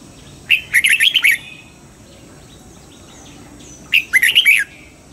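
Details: Red-whiskered bulbul trained for dawn singing in double-note style, giving two matching phrases roughly three and a half seconds apart, each a fast string of ringing whistles that slide downward at the close.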